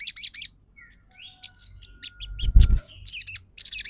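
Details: Crimson sunbird singing in the trotol style, a lure to stir stalled birds into song and reply: scattered high sharp chirps and short trilled bursts, with a low thud midway.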